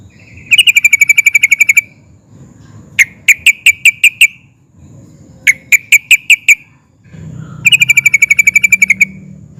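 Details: Sooty-headed bulbul, excited, singing ngeplik and ngerol phrases that provoke other bulbuls to answer: fast rolling trills alternate with slower series of separate clipped notes, each followed by silence; soft low hum between phrases.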